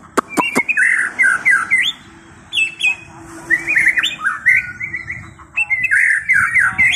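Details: White-rumped shama delivering a varied run of rich whistled phrases around mid-pitch, with sharp high clicks at the start and short pauses between bursts; steady low hum underneath.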